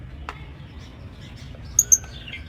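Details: Lovebirds in a pet aviary: a quick pair of high, piercing chirps in close succession, with a faint click and soft background twitter before them.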